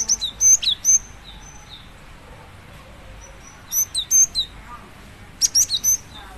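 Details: Female cinereous tit calling to a male: three bursts of thin, high chirps and short sharp whistled notes, each burst a rapid cluster of four to six notes, separated by quiet gaps with faint background hiss.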